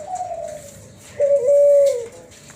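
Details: Kelantan spotted dove by tangerine ringneck dove hybrid, Cuhu Kelantan, with a fluted 'suling' voice: a faint descending tone, then one loud sustained level coo lasting under a second.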